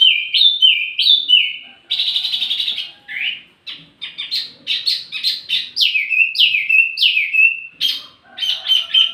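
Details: Wambi mini singing as lure and tutor for tledekan: sliding high notes in pairs, a harsh buzzy burst, then a fast varied series of sharp chirps and downslurred whistles.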